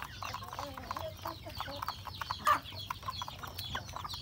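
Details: Chickens eating breakfast at a rural home, roosters and a hen among them; low soft clucks and murmurs with scattered clicks and one louder sharp note partway through.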